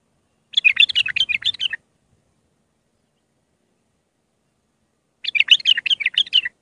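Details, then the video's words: Iraqi bulbul singing raw Mandali-style song used for tutoring young bulbuls: a bright, fast warbled phrase of about one second, repeated after a four-second silence. "تغريد بلبل عراقي خام مندلاوي راقي ساعة كاملة التعليم افراخ البلابل"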